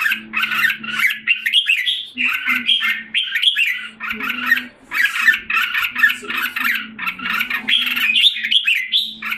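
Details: Singapore cage bird, a red-whiskered bulbul recovering from a drop in form, recorded 7 July 2017. Short chattering, warbled phrases repeat about every second, with brief gaps, against a constant low hum.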